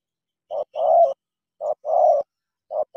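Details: Low mellow cooing of a spotted dove from Cà Mau kept as a decoy: paired notes, a brief clipped coo then a drawn-out throaty one, repeated twice with a third phrase starting at the end.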